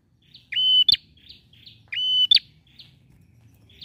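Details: Bar-winged prinia male in strong song, used as a prompt for a silent bird: two level whistles each closed by a sharp click, followed by thin scattered chips and faint background rumble.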